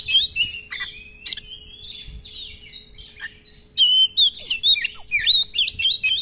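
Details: Oriental magpie-robin singing energetically for use as a tutor and lure, long rolls with fill-in song: loose whistled slurs and chirps, then a fast, dense sequence of high sweet notes repeated several times per second.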